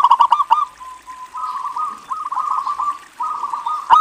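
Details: Local zebra dove serving as a lure to get other doves calling. Opens with quick clicking notes, then a steady, soft, rolling trill that rises and falls through several short phrases.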